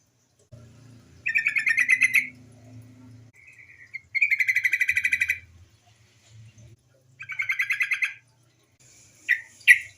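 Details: Lure call of a female yellow-vented bulbul meant to prompt other bulbuls to sing: three bursts of fast buzzy chattering about a second long, a short thin note between, and two sharp chirps at the end.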